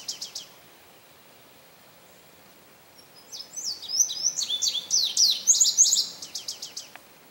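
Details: Male Indigo Bunting, St. Johns Conservation, May 25, 2022: a brief ending note, a pause of nearly three seconds, then a full high song of doubled, slurred whistles and buzzy couplets, followed by quick closing notes.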